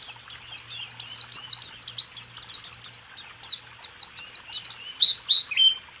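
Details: Somewhat quieter white-eye 'rool tembak' song from a 2023 caged-songbird training recording: a rapid series of high sweeping chirps, about three a second, over a faint low hum.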